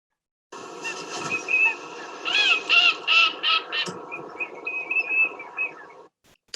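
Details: Eurasian teal flock calling together at a Sussex wetland in winter: quick, high piping whistles from males mixed with females' harsher, descending mallard-like quacks, several notes per second.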